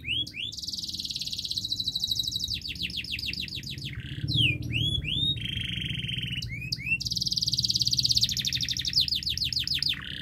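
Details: Canary master song for getting a reluctant canary to sing: alternating rolled trills, buzzy sustained phrases and bursts of quick sweeping whistles, loud and continuous over ten seconds.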